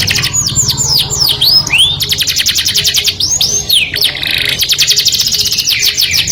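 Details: Canary song that draws the opposite sex: several loud swooping whistled notes, then long fast trills of repeated notes at roughly three to four per second, with a soft low hum behind.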